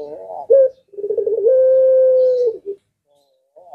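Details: Long-drawn puter pelung coo from a collared dove said to make other birds reply: a low warbling roll rises into a sustained flat hum of about a second, closed by a brief note, with faint coos at the end.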